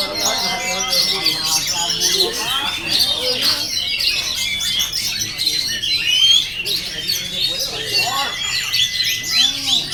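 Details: Rapid, varied oriental magpie-robin song of high squeaky chirps, slurred whistles and short trills without pause, while people talk steadily at a lower pitch underneath.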